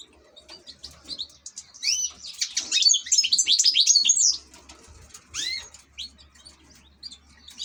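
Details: A European goldfinch, kept among ornamental birds, builds from scattered chips into a rapid, tinkling twitter of about two seconds, followed by a few upslurred call notes.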